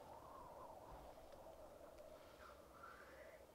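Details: Black grouse at the lek, recorded with a Rode Videomic Go: low rolling bubbling throughout, overlaid by two short rising, wheezy sweeps in the second half.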